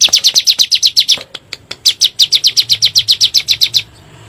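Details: Bar-winged prinia lure recording, 'nembak' style, to encourage caged birds to sing: two quick runs of bright high chirps, about four per second, divided by a short pause and ending in quiet.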